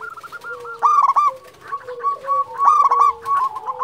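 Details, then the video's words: Champion local zebra dove calling: two loud bursts of quick, rolling coos near one and near two and a half seconds, with softer continuous cooing from nearby doves. "Perkutut lokal gacor Juara memanggil"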